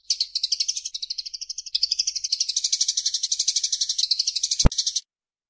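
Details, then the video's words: Eurasian tree sparrow used as a training recording for caged songbirds: steady, rapid high buzzing rattle of pulsed chips for five seconds, briefly dipping in pitch midway, with a single sharp click near the end. "Suara Burung Gereja"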